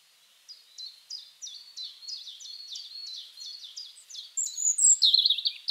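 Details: European Robin singing a steady series of about a dozen thin, sliding notes repeated several times a second, ending in a louder, very high, tinkling warbled flourish.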